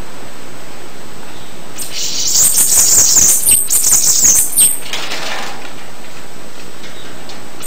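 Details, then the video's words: A single long Bananaquit song: a thin, shrill, fizzing cascade of quick high notes lasting about three seconds, set against steady faint hiss. "CANTO DA CAMBACICA"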